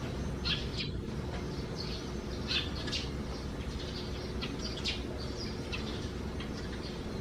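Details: Busy chirping from sparrows with a nest under the roof eaves, June 2020 morning: many short, bright notes in scattered bursts, with a steady low hum underneath.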